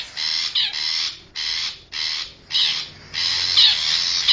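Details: Lure recording of a wild forest long-tailed shrike for drawing in wild birds: grating, broad rasps in uneven bursts, one longer scratchy stretch at the end carrying a faint whistled note.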